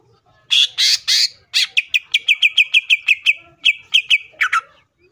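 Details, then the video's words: Greater green leafbird song used to provoke other leafbirds into singing: a few harsh buzzy notes, then a rapid series of short clipped whistles repeated about five times per second, on a quiet background. "CUCAK IJO GACOR GANAS BUKA MATERI❗PALING AMPUH BUAT PANCINGAN IJO AGAR CEPAT BUNYI AUTO EMOSI!"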